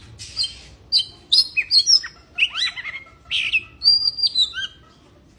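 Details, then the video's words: Oriental magpie-robin in breeding condition pouring out a rich medley of swooping whistles, buzzy rasps and quick chirps, with one long high whistled note near the end. "kacer birahi"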